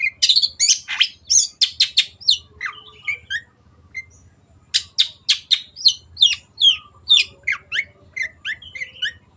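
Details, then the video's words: Long-tailed shrike (cendet) singing energetically, in the gacor style, for a training recording meant for other birds to copy: bursts of sharp, high chattering and squeaky notes in two rapid runs, divided by a near-silent pause, with a faint low hum beneath. "MASTERAN BURUNG CENDET GACOR JADIKAN BURUNG KESAYANGAN ANDA SEMAKIN GACOR DENGAN SUARA JERNIH"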